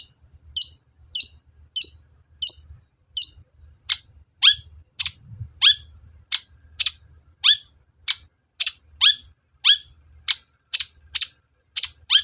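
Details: Long-tailed shrike provoking rivals to sing: a row of short, high, clipped chips at first, then a rapid series of rasping, downward-sliding notes about two per second, steady and insistent, over low hum.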